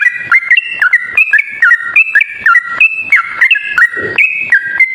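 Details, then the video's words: Yellow-vented bulbul, continuous lure song: lively, stepped whistles bouncing between higher and lower notes in quick succession, with one soft low thud near the end. "suara pikat trucuk ropel..super gacor"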